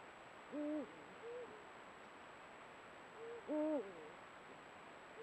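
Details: Eurasian eagle-owl pair, excited ahead of breeding, exchanging a chained series of guttural contact sounds at their meeting site, recorded by a camera trap. Two loud level calls with drooping tails, separated by softer answering notes.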